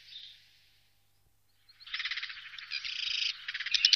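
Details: Black redstart singing in the Wittlicher Tal in 2018. A soft opening whistle fades, then after a short pause comes a dense, scratchy, crackling rattle that runs for about two seconds. A few bright notes close the phrase.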